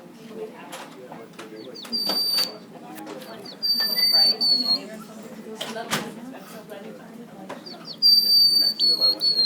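White-crowned Sparrow isolate song: three plain, high whistles, each level then slightly falling, lacking the normal trills, over a background of room clatter and murmuring.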